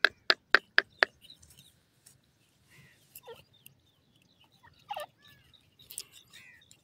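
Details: Grey Francolin chicks feeding: five sharp, loud clucking notes in quick succession, then softer scattered chirps and a couple of drawn-out downslurred calls.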